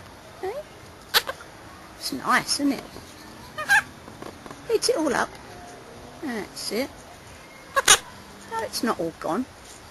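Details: Pet monk parakeet (Quaker parrot) talking about his apple, saying it is all gone: a run of short, squeaky, speech-like syllables in bursts, some rising and falling, with 'nice' and 'yes' among the words and brief pauses between phrases.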